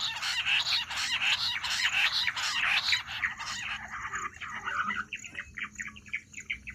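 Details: Jungle bush quail call used in hunting: a dense harsh chattering chorus for about four seconds, thinning into a series of separate quick sharp notes repeated near the end.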